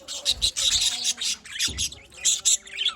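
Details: Budgerigars in a pet colony giving bright, high chirps and warbling chatter, a few clear whistled squeaks near the end, with soft low thuds between calls.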